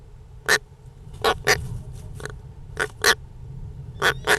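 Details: European rollers give harsh, rasping, crow-like notes, often in quick pairs, about one per second, over a low background rumble.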